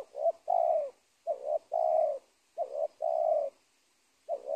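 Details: Spotted dove calling at the edge of a teak plantation near a former corn field, a clear low coo phrase repeated: a short note followed by a longer drawn-out coo, pairs recurring about every second and a half, with a quiet background.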